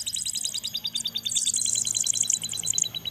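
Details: Chicks of the crested jay during feeding: an unbroken stream of rapid, high-pitched pulsed notes with shrill, squealing overtones throughout.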